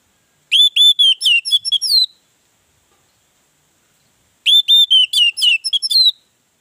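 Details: Orange-headed thrush singing as a lure to provoke other birds into song: two rapid phrases of whistled, warbling notes, each about one and a half seconds long, separated by a few seconds of silence.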